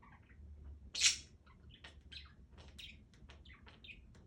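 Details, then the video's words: Pet budgerigar chattering indoors: a scatter of short, high chirps and squeaks with one sharp, louder chirp near the start, over a low steady hum. "Work Distractions"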